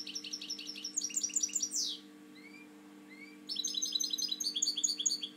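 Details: European goldfinch in captivity, a breeding bird, sings fast jingling twitters ending in a falling sweep, a couple of soft rising whistles during the pause, then another bright chattering burst; constant low hum.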